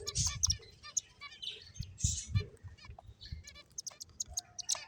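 Finches chirp in quick, high, overlapping bursts of short notes. Low rumbling thumps and some voice-like sounds run underneath.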